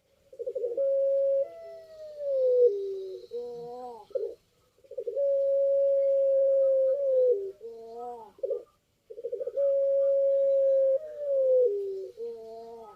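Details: Barbary dove in puter pelung style, repeating its song three times: each round is a long sustained coo that slides down in steps, ending in short quavering throaty notes, with pauses of about a second between.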